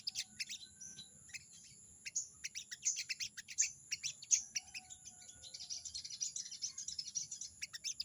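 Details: Dense, rattling 'crecet' chatter of a crested jay challenging a rival: a long stream of rapid clicks and harsh notes that grows busier toward the end, over a low hum and constant high whine.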